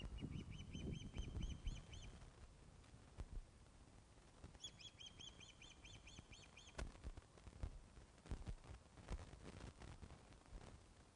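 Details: Ospreys, Loch of the Lowes, 21 August 2012, 16:35, fish delivery at the nest caught on webcam: two separated series of quick, evenly spaced whistled chips, with heavy low wind-like rumble and sharp knocks afterwards.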